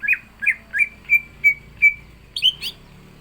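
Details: Caged green leafbird singing actively with mimicry before facing a rival: six evenly spaced slurred whistles falling in pitch, followed by two higher sharp whistled notes.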